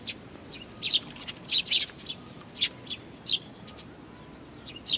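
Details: Chicks waiting for parent birds at Tenmangu shrine, Nakanoshima, recorded 25 June 2020; bursts of high, shrill chirps, bunched in quick runs near the middle, then spaced single notes, with a soft constant hum behind.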